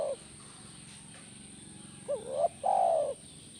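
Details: Spotted dove cooing, used to stir a caged dove into replying: the end of one coo, a pause, then a rising double note and a long, mellow, descending coo.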